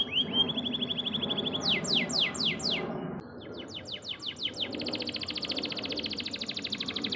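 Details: Canary song used as a training recording for caged songbirds: a fast high trill, then loud descending sweeps repeated about four times, then further rapid rolling trills, over a steady low background hum.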